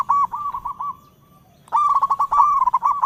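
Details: Local zebra dove (perkutut lokal) singing vigorously, calling in all directions: rolling, trilled coos of rapid pulses, a brief pause, then a louder burst of bubbling, repeated coo notes. Quiet background.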